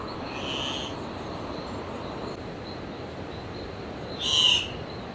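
Andean cock-of-the-rock giving two loud, harsh squawks about four seconds apart, the second stronger, over a steady hiss of background noise.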